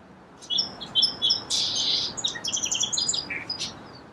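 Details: Song sparrow phrase with several spaced introductory notes and a loud buzz, then a rapid tumbling series of high twittering notes ending in a lower slurred chip.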